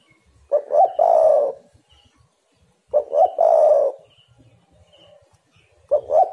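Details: Spotted dove coos used to provoke other doves to sing: two full phrases about two and a half seconds apart and the start of a third, each a stuttered double note leading into a long burry coo.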